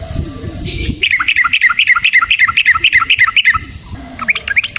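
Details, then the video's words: Yellow-vented bulbul in full, fighting-style song with long rolling phrases, used as a lure to make other bulbuls sing: a fast run of bubbly, chirping notes repeated about four per second, with a faint rolling tail at the end. "Burung TRUCUKAN GACOR Ropel Panjang Cocok untuk PANCINGAN Trucuk bahan dan MASTERAN Burung Trucukan"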